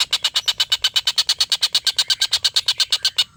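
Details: Collared kingfisher giving its long laughing call, used as a master recording to tutor competition songbirds such as white-rumped shamas: an unbroken run of harsh, clipped kek notes, roughly seven each second, evenly spaced throughout.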